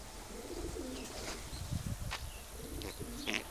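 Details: Homing pigeons giving low, soft, wavering coos in short phrases, with faint higher chirps and a steady background hum.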